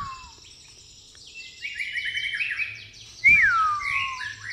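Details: White-rumped shama of pastol type, song filled with fighting-sparrow phrases: a low falling whistle, a rapid sequence of high, slurred notes, then a loud, looping whistle dropping in pitch.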